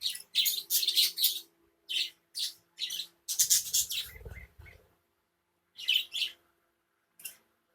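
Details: A colony of budgerigars gives bursts of harsh, high chirps and chattering squawks, pausing irregularly between outbursts; budgerigar.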